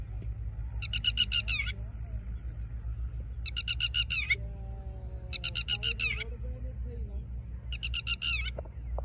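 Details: Ground-nesting wild red-wattled lapwing, known locally as tateri, laying eggs: four evenly spaced bursts of fast, shrill repeated notes about every two and a half seconds, against a steady low hum and a faint lower whistle between bursts.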